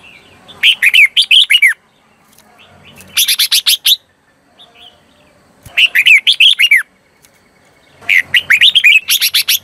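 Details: Decoy red-whiskered bulbul singing to call in wild birds, giving rapid chirpy phrases of warbled whistles about a second long, separated by short pauses, with faint low rustling between phrases.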